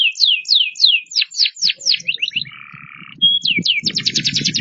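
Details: Banashi canary singing and moving about: a series of sweeping downslurred whistles, then a short nasal, buzzy held note, then upward slurs leading into a fast, bright trill, with faint low knocking in the background.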